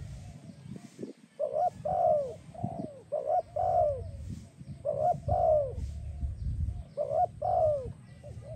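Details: Spotted dove song used to train and attract doves: repeated phrases of short coos and long downward-sliding coos, about one every two seconds, with low thumps and a hum in the background.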